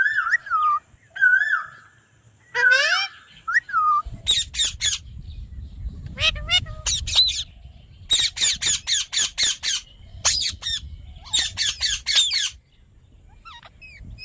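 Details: Pet parrot calling: a few drawn-out wavering whistles first, then a fast series of sharp, harsh squawks repeated roughly twice a second, with rumbling background noise.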